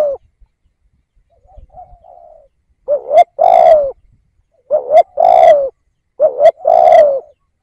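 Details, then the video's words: A faint, soft warble opens the clip. Then the caged decoy spotted dove delivers three clear coo phrases, each a short rising note joined to a longer, falling hollow coo. "Tiếng Cu Gáy / chim cu gáy kích bổi nhanh nổi"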